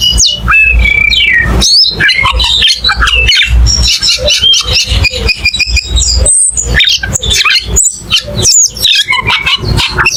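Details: Cucak keling delivering quick, choppy phrases of chirps, whistles and buzzy squeaks, rapidly alternating with brief pauses.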